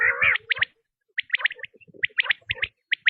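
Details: Quail producing one long, rough, wavering call, then scattered high chirps and soft clicks after a pause.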